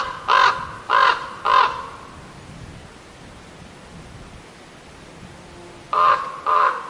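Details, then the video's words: Crows in a forest give harsh, hoarse caws: three in quick succession, a pause of several seconds, then two more, against an otherwise quiet background. "Crows calling"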